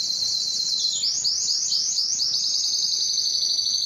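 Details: Belgian canary giving its loudest song to attract females for breeding: continuous high rapid trills, then a sweeping series of rolled notes repeated in quick succession, no other sounds.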